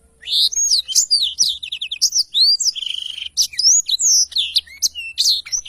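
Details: Black-throated canary singing vigorously, a tutor recording for training songbirds: a rapid, unbroken stream of high, varied whistled notes, quick up-and-down sweeps and one buzzy trill near the middle.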